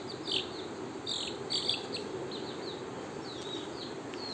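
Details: Young chicks, kept apart from their mother since small, peep in a shrill chorus of short, high, falling notes in the early morning, calling to their keeper for food.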